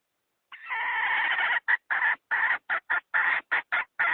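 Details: Hen luring wild fowl toward a trap: a sustained raspy opening note over a second long, followed by a rapid series of short clipped clucks, ending on a longer note. No other sounds.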